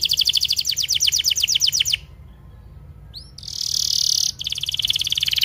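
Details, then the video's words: Canary tutor song for young or silent canaries: a rapid trill of descending high notes, a short pause with two swooping chips, a dense sustained buzzy trill, then a fast rattle of notes again. "MASTERAN KENARI 30 MENIT DURASI PANJANG"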